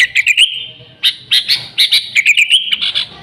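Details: Sooty-headed bulbul, natural lure sound: a fast warbled phrase rising into a level whistle, a brief gap, then bright chirps and another rising warble.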